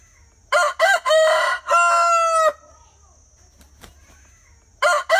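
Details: Rooster crowing: a loud harmonic call in several short rising syllables ending in a long sustained note, about two seconds, followed by quiet and the start of another crow; faint steady high hum in background.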